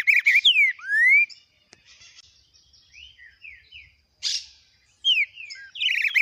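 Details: Green-winged saltator (trinca-ferro) singing the long "biro biro" song type while warming up: loud, rich whistled phrases with swooping slurred notes, then softer broken notes before the loud phrases resume.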